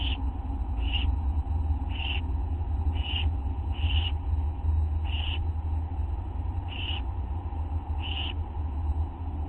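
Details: Owlets begging at night while a parent feeds a tiny mouse, August 9, 1:29 AM; regular raspy hissing notes about once a second throughout, over constant low rumble.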